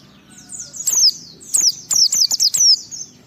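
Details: White-eye (pleci) song in the ngalas, ngeplong style, used to provoke other white-eyes into singing: high, thin downslurred whistled notes, then a quick burst of sharp chirps. A faint low hum runs underneath.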